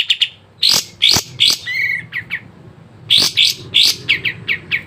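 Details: Sooty-headed bulbul song used to make caged birds sing: loud sharp chips and short bursts separated by brief gaps, with a low buzzy note in between and a closing run of rapid chips.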